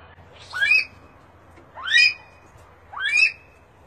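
Himalayan monal giving three loud, harsh, upslurred calls, each rising sharply in pitch, spaced about every one and a quarter seconds over a faint low hum.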